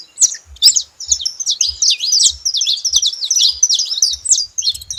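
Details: Free wild flock of saffron finches in nature: a steady stream of high, quick, slurred chirps from several overlapping birds, with soft regular low knocks in the background.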